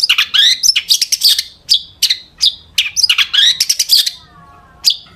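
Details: Long-tailed shrike in energetic song crammed with imitated calls, played to provoke other shrikes; fast bursts of high chips, rattles and upward-bending whistles in tight clusters, then a lone sharp note.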